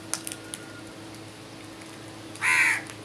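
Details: Crow in the morning giving a single harsh, hoarse caw near the end after a quiet stretch with faint clicks and a steady background hum.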